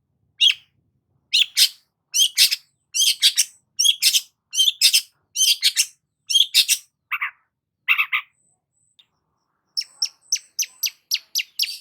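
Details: Long-tailed shrike singing energetically with paired and tripled harsh chirps repeated steadily, a few lower rasping notes, then a run of quick high ticks.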